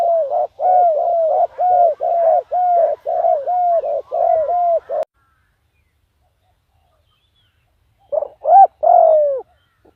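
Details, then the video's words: Spotted dove used as a decoy, calling to attract wild doves; a fast run of about nine paired hollow coos, each short note followed by a longer arched one, then silence and three more coos. "chim cu mồi gáy gọi bổi"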